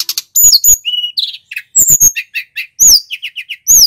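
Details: Male little pied flycatcher from Banyuwangi singing for a master recording: piercing high downslurred whistles alternate with a steady run of short, lower chirped notes, about four in a row, and brief twittering phrases.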